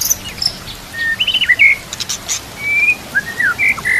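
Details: Murai batu (white-rumped shama) song for training other murai, mixed with nature sounds: clear level and bending whistles separated by pauses, with a few soft clicks in the background.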